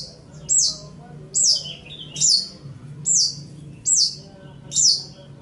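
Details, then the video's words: Recorded as a master song for training birds, a long-tailed shrike repeats one very high, sharp note that slides downward, about once every 0.9 seconds, with a quiet, steady low hum in the background. "Ocehan Suara Burung Cendet/ Pentet"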